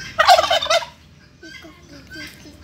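A turkey lets out one loud, fast, rattling gobble lasting under a second, followed by faint scattered notes and low background murmur.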